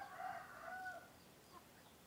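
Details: Male chicken (rooster) of a laying breed crowing, a call said to mark the change from night to morning; one harmonic-rich crow of about one second, strong then trailing off, with quieter crowing faintly in the background.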